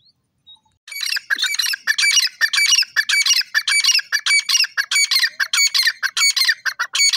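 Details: Francolin, locally called teetar, giving a loud, harsh, squawking series of rapid repeated notes, about one or two per second, running steadily after a short quiet start with no other clear sounds.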